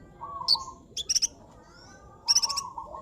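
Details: Actively singing sunbird gives a few sharp, very high chirps and short rattling trills over a lower steady whistled note, in a quiet setting.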